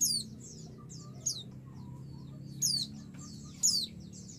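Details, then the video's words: Female white-eye calling the male, provoking him to answer; soft high chatter with a bright falling note at the start, then two loud, sharply descending chirps about a second apart near the end, over low hum. "pleci betina memanggil jantan"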